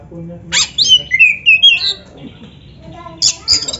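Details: Oriental magpie-robin (kacer) in a tutor recording used to train captive birds to sing: a sharp high burst, then a run of clear whistled and slurred notes, a pause, and two more bright bursts over faint background murmur.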